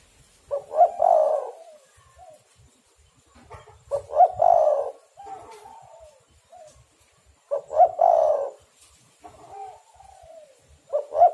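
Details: Spotted dove cooing, used as a lure call to draw wild doves. Repeated phrases of short stuttered notes and a long, rough falling coo every three to four seconds, with softer coos between them and low rumbling in the background.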